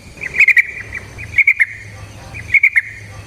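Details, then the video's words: Yellow-vented bulbul lure song of the ngalas ropel style; three short clusters of quick bright chirps about once a second over soft low rumble. "Trucukan GACOR ngalas ROPEL PANJANG suara alam AMPUH buat pancingan"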